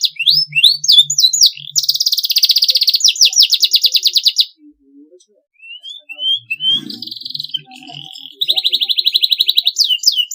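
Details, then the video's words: Canary in long masteran song: quick descending whistles, a long rapid buzzing trill, a pause with scattered soft notes, then rising whistles and another fast trill. "MASTERAN KENARI SUARA BERSIH PANJANG GACOR PAGI SIANG MALAM"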